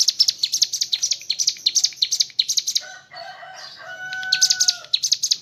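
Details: Mountain leaf warbler delivering 'ngebren' song with kapas tembak fill: quick, high chattering chirps, interrupted midway by a short passage of lower, drawn-out whistled tones before the rapid chirping returns.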